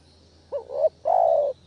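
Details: One spotted dove phrase used as a lure for catching doves: a swelling, rising double-note coo followed at once by a long, even, mellow coo.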